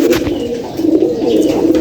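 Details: A pigeon reportedly seven years old coos continuously in low, throaty, pulsing tones that waver steadily without a break, recorded close up.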